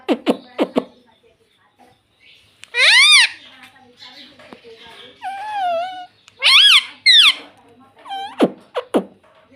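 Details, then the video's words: Pet ringneck parrot indoors making its natural sounds: harsh, rich squawks in short bursts, sliding whistled calls that dip and rise, and sharp clicking notes, separated by quiet gaps. "Ringneck Parrot Natural Sound"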